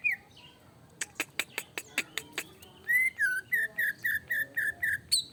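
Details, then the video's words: Agitated greater green leafbird song used to provoke other birds. A rapid series of sharp, dry clicks leads into a steady train of bright, bouncing whistled notes, evenly spaced about four per second. "Pancingan cicak ijo emosi"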